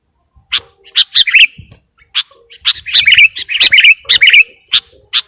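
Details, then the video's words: Sooty-headed bulbul in lure recording for catching birds: clear, bright chirps in short clusters separated by brief pauses, growing into quick bubbly runs of notes, over a quiet background. "Suara Pikat Burung Kutilang Gacorr"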